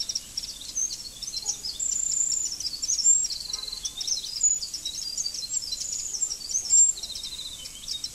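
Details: Wren singing near a person drawing a fern wren picture: bright high trills and rapid chattering notes with sharp ticks, scattered through the recording over faint background hiss.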